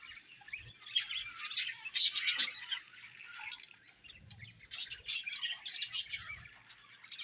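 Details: Budgies chirping in busy, high warbling chatter with scratchy squawk-like bursts, loudest near two seconds and again from about five seconds, the twittering running almost without pause.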